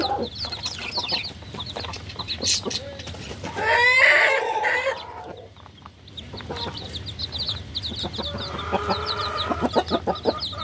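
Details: Several baby chickens peeping in quick, high, repeated chirps, broken midway by a louder, harsher burst with lower tones, then steady chirping resumes over clicks and a humming tone.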